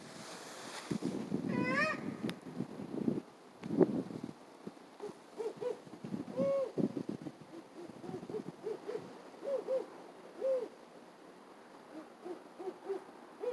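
An owl gives a string of short, mid-pitched hooting notes at an uneven pace, some slightly rising, after a burst of lower, rougher sounds at the start.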